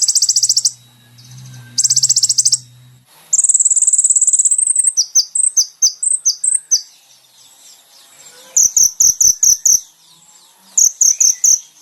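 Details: Brown-throated sunbird singing, taken from a caged-bird training recording: high buzzy trills, then a long sustained thin whistle breaking into separate chirps, and later quick clusters of sharp, evenly spaced ticks; a low hum sits under the opening.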